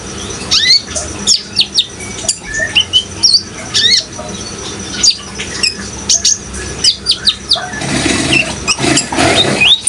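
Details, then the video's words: Van Hasselt's sunbird singing actively: sharp high chirps and thin downslurred whistles in irregular bursts, with a steady rush of running water behind and a louder watery hiss near the end. "suara kolibri ninja gacor dan suara air"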